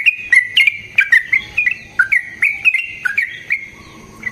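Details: Yellow-vented bulbul in long fighting song, a lure for rival bulbuls; quick tumbling sequence of rich, slurred whistled notes that fades toward the end.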